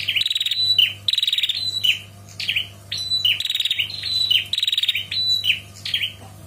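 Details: Calling female bar-winged prinia summoning a male: repeated high, rattling 'ngetirr' trills and clipped chirps, delivered in rhythmic bursts roughly every half second, with faint background hum.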